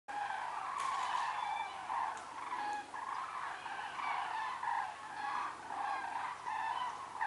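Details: A flock of cranes passes overhead at Kuhhorst, many birds giving loud, rolling trumpeting calls that overlap into a continuous, rising and falling chorus.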